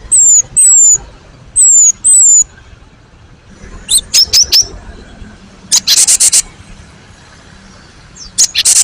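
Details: Cinereous tit calling, used as a master recording to draw replies from young and old birds: four clear, high, slightly falling whistles, then short sharp notes and brief buzzy rattling bursts.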